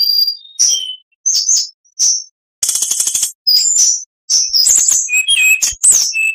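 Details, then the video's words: Song of an oriental magpie-robin in short bursts: high whistles and chips, a dense buzzy burst near the middle, then a tumbling sequence of varied whistled notes and slurs. "MASTERAN KACER .MATERI FULL ..awas nanti burung anda ikut gacor.!!"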